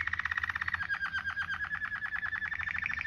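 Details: Rapid continuous canary roll in Waterslager 'ngerol' style, used to tutor canaries: a fast, even string of pulsed notes at one steady pitch throughout.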